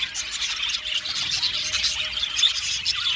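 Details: Many budgerigars kept together in an aviary, a steady tangle of shrill chirps and chattering warbles, some brief clearer whistles near the end, all at even loudness.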